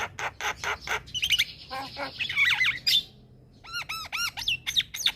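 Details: Javan myna in full song: rapid clicks and grating chatter, then a series of arched, bouncing whistled notes repeated in quick succession, ending in squeaky chirps.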